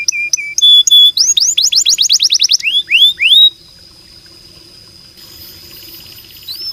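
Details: Canary tutor song: quick paired chips, a fast run of rising swooped whistles repeated about five times a second, a few louder slurs, then a long soft high trill fading into quiet before a final rising note.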